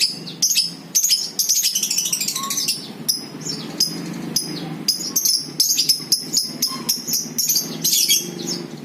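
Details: Lovebird sounds in the ngekek style, played as a lure to prompt other birds to chatter: a dense, almost unbroken run of shrill high chirps and rasping bursts, with a low hum underneath.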